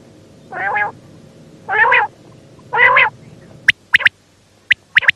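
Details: Female quail calling: three harsh, raspy notes, each about a third of a second long and spaced about a second apart, followed by a burst of sharp clicks and ticks over low background hiss.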